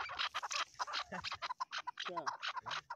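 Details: Several chukar partridges in a jumbled chorus: rapid harsh clucks mixed with some lower, wavering notes.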